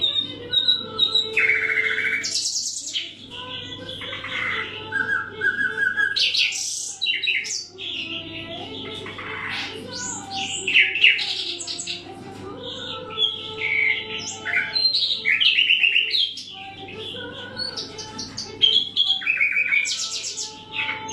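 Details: A wild-caught nightingale, kept caged for a year on special nightingale food, sings a rich, varied song of whistles, rattling trills and sharp chirps in quick bursts.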